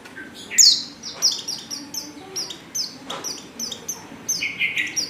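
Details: Female Oriental white-eye calling, used as a lure to draw males into song: thin, high downslurred notes in quick irregular series, some doubled, with a faint low background murmur.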